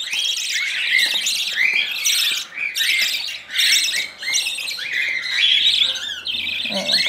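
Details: Hand-fed budgerigar chicks, among them a 32-day-old albino that nips often while on hand-rearing formula, beg with rasping, buzzy squawks in rapid pulsed bursts about twice a second, nearly unbroken.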